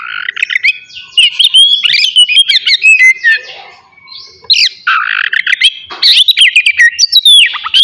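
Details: Oriental magpie-robin giving loud ngeplong song in a morning session meant to stir aggression and mating urge in others. Harsh squawky notes mix with rapid whistled warbles, with a short lull before more vigorous phrases.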